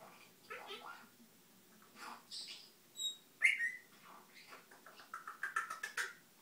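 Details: A pet Brown-headed parrot mimics household sounds: squeaky whistles, a sharp bright chirp, then a quick string of high tweets, imitating the home fire alarm and the Twitter notification sound, with another bird mumbling in the background.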